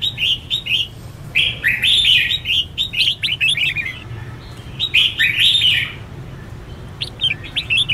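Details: Red-whiskered bulbul in competitive singing: rapid chirpy warbled phrases in quick succession, bright and slurred, running almost continuously with a steady low hum underneath.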